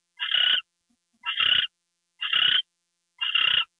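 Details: Owl recorded at 10:43 PM on February 2, 2013, when a gopher is delivered: four rough, hissing screeches about one second apart, each lasting roughly half a second, with no other sounds between them.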